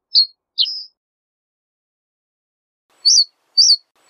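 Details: Reed bunting song: two high, thin separate notes, the second bending downward, then a pause and three short, identical high chirps repeated about half a second apart. No other sounds are heard.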